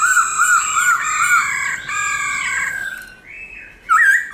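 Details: Black-throated laughingthrush forest-style song used to rouse caged birds into singing: long sustained clear whistles with rich overtones, then a short pause before another bright whistled note.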